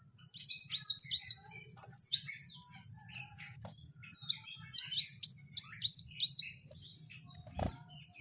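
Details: Kowul in the wild singing long strings of high, hooked, rising-then-falling whistles repeated in quick succession, with brief pauses between phrases and a single low thump near the end.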